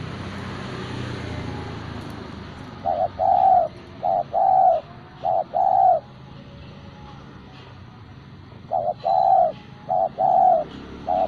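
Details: Spotted dove kept as a hobby bird, singing vigorously: after three seconds of low background hiss, mellow low coos come in short-then-long pairs, three pairs, a pause of about three seconds, then three more pairs.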